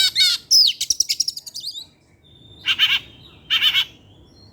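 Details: Oriental magpie-robin (kacer) kept in an aviary, singing in the evening: a fast chirping rattle, then a pause, followed by two short buzzy bursts and a thin drawn-out whistle.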